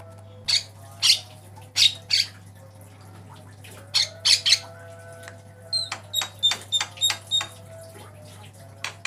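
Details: Javan myna, white-eyed type, varied song as a master for training caged birds: spaced loud rasping bursts give way to a quick series of clear, sharp whistled pips, over a soft steady hum.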